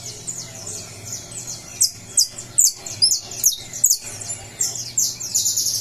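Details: Saffron finch coming out of moult, recorded 20 July, singing bursts of sharp, very high chirps and downslurred notes in quick irregular succession, about two per second, over a steady low electrical hum.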